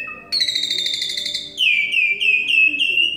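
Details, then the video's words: Asian pied starling from Semarang singing vigorously, a loud sustained high whistle followed by a string of repeated sliding notes, over a steady low background hum. "KING JALAK SUREN GACOR"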